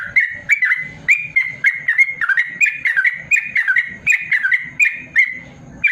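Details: Yellow-vented bulbul in full 'ropel panjang' song, a long rapid-fire style used for training lazy caged birds; bright, bubbling notes pour out continuously, each a quick warbled slur, over soft thumping clicks.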